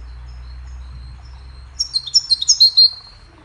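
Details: Goldfinch starting up after near silence with a lively phrase of sharp, high twittering notes that rise and fall in quick succession, recorded as a melody for training songbirds.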